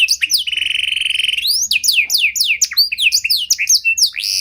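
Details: Training lure from a Panda canary: a steady rapid rattle-like trill, followed by a burst of varied whistled downslurs and upsweeps, sung loud and high.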